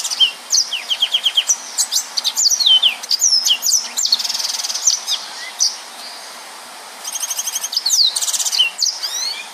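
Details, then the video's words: Yellow-fronted canary in full 'nembak' song, dense and rapid, for use as a tutor for other birds: bursts of high buzzy trills and quick rising and falling whistled sweeps, pausing near six seconds, then renewed rattling phrases. "Burung Mozambik Gacor||Suara Nembak Full Rapet"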